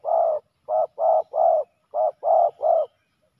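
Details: Spotted dove males in a fierce fight at a ground decoy; seven low, rounded coo notes in uneven pairs and threes over three seconds, steady and resonant.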